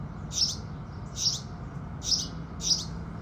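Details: Morning house sparrow song with the rising sun: four loud, bright chirps spaced under a second apart, each a short burst, above a constant low background hum.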